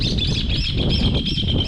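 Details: A bird near Tandil, central Argentina, gives quick, high, arching chirps, about three a second, over a steady thin whine and a heavy low rumble of wind or traffic.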